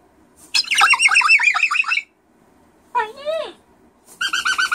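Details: Pet cockatoo in a loud screaming mood, indoors: harsh rasping bursts of rapid repeated notes, a buzzy descending squawk series, then another grating run, with quiet gaps between.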